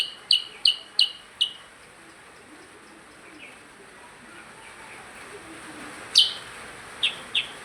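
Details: Chattering percang: four quick bright chirps, a quiet stretch with faint softer sounds, then more sharp high chirps resuming in a loose series.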